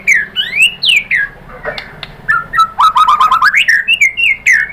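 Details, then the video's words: White-rumped shama song played as a lure to provoke singing: clear descending whistles, scratchy notes, then a quick run of repeated chattering phrases and bright whistled endings. "MURAI BATU jadi NYAUT GACOR BONGKAR MATERI ¦ PANCINGAN MURAI ¦ SHAMA BIRD"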